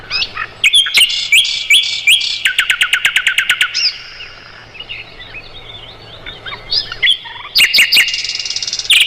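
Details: Mugimaki flycatcher song used to tutor white-rumped shamas: hooked whistled notes run into a rapid clicking rattle, then soft twitters, ending in loud buzzy bursts and high strident notes.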